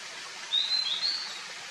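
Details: White-throated laughingthrush at its nest in the Himalaya in summer, a parent shading chicks that squeal for attention: a brief run of thin, high squeaky notes, slightly wavering, under a second, over steady background hiss.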